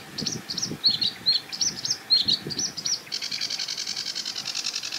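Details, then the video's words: Sedge Warbler at a marsh edge with reeds, singing from a treetop: a string of squeaky chirps and slurred notes, then a sustained dense, buzzing rattle. "SEDGE WARBLER Singing & Calling"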